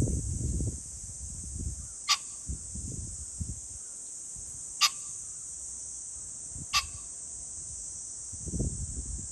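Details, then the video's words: On 21 July 2024, a pheasant sounds three sharp, hoarse calls a few seconds apart in a fairly quiet scene, with steady high hiss and occasional low gusts of wind. "pheasant call ,キジ ,꿩"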